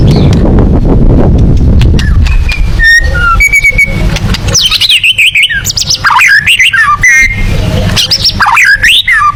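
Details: White-rumped shama singing in the 'tembakan' style favoured for contest birds: low rumbling noise at first, then thin whistled notes and loud, varied, swooping whistles and chattering phrases.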